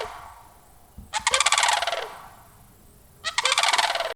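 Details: Two rattling, pulsed crane calls about two seconds apart, each a rough, rolling burst lasting roughly a second, from a sandhill crane.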